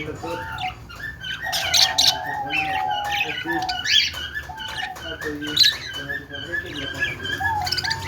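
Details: Budgies chirping and singing happily: an eight-second stream of quick, scratchy chatter and short squawky notes, broken by flat whistled tones, over a low steady room hum.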